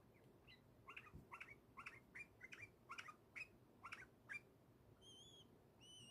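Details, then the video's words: Pet bulbul chirping with joy: a quick run of short, sharp chirps, about two per second, with a few lower twittering notes, ending with clear arched whistled notes near the close. Background is quiet. "Chirping with joy"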